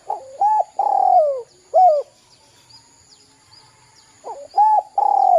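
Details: Spotted dove cooing as a lure for young birds, in the 'kuk 2' manner. Deep rounded notes: an opening double coo, a long descending coo and a crisp final note. After a silent pause the phrase begins again and is cut off.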